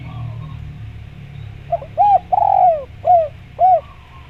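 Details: Spotted dove cooing, played so that other doves answer: low rumbling noise, then one phrase of two short hoots, a long falling coo and two separate arched hoots.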